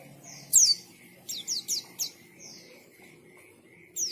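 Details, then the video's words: White-eye sings in bursts. Sharp, high downslurred whistles come singly and in quick pairs, with gaps between phrases and a faint low hum behind. "KICAUAN BURUNG PLECI GACOR NGALAS"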